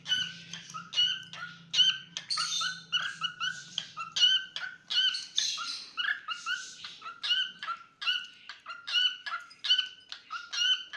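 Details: Singing pet cockatiel producing a continuous chatter of clipped whistles and chirps, with a few drawn-out raspy calls in the middle section; a low hum fades out after the opening seconds.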